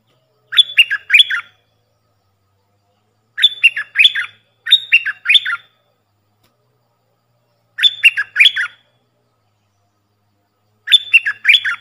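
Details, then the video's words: Puff-throated bulbul decoy call meant for training young birds, five clear phrases of two or three brisk, scratchy down-slurred notes, spaced irregularly one to three seconds apart, recorded close and clean. "เสียงต่อนกดอกแตงEp.114เสียงสำหรับหัดลูกเสอ/ลูกป้อน!!Birds sounds"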